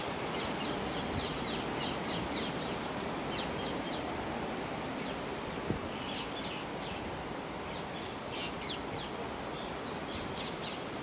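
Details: Black redstart (Phoenicurus ochruros) calling to its fledged young just out of the nest in 2019: thin, high, short calls in loose bursts of several a second over steady loud background noise.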